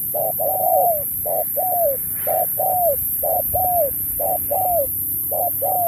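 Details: Contest spotted dove, 2024, in the 'Thúc kèm Bo' style: brisk rhythm of six double coos, each a clipped note then a curved, falling coo, about one per second, with low background hum.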